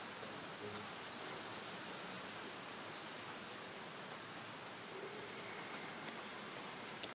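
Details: Young varied tits in the nest: bursts of sharp, high-pitched peeping notes, irregularly spaced, some single and some in runs of four or five, with faint hiss behind.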